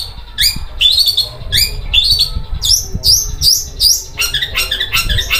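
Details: Singing long-tailed shrike with a coarse, sewing-machine-like voice. Harsh rising buzzy notes repeat about once a second, then break into faster grating chatter toward the end. Faint low rumble in the background.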